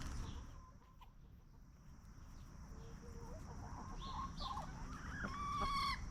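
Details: Free-range hens scratching in the dirt and feeding peacefully on a farm; soft scattered clucks building to a louder rising squawk at the end, with a steady high hiss and low background rumble.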